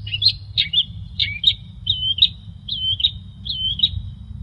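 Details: Training master of long-tailed shrike song: a series of about eight bright, slurred whistled phrases, each a short chirp then a level or dipping whistle, evenly spaced, over a faint low hum.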